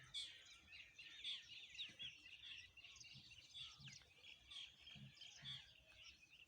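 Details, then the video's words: Morning birdsong: a dense, distant chorus of high chirps and thin whistles overlapping continuously, with soft low rumbles beneath. "The sound of birds is like the sound of the morning sun"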